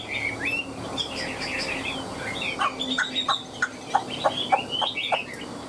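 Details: Chinese hwamei in captivity, tail fanned and wings flicking, mixes swooping whistled phrases with interspersed sharp clicking notes in an uneven, lively sequence.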